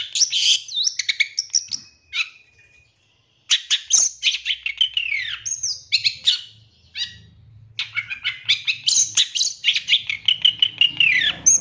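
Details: Long-tailed shrike fill-in master song: dense bursts of chattering, whistled and buzzy high phrases broken by short silent pauses, with a steady whistled note early on and a faint low rumble underneath.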